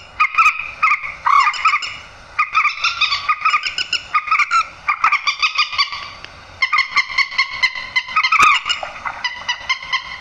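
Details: Night-netting lure of grey-headed swamphen 'trích ré' calls; repeated harsh honking squawks in bouts of quick pulses, separated by short gaps, one sharp click near the end.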